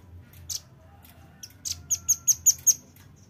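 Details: Lure call of a velvet-fronted nuthatch: scattered high chips, then a run of five sharp, evenly spaced, piercing ticks, with a low murmur beneath.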